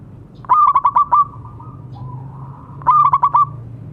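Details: A local zebra dove used to coax quiet doves into song gives two clipped bursts of about six rapid coos, with a soft, drawn-out coo between them.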